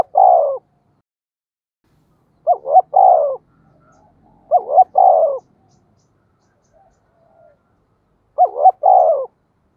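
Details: Urging 'tiếng thúc' calls of a spotted dove in 'giọng thổ' style, meant to provoke wild birds. Four phrases spaced roughly every two to three seconds, each of two short hoots and a longer falling coo.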